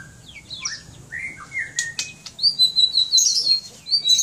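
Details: Kept white-rumped shama from Aceh, Indonesia, singing a varied phrase: low whistled slurs and a sustained note, then a run of rapid, high, thin twittering notes with brief clicks.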